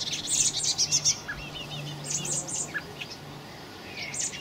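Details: Recorded 26 May 2018, fledgling common blackbirds utter quick strings of thin, high squeaky notes, loudest at the start then fading to sparse chirps, over a low droning hum.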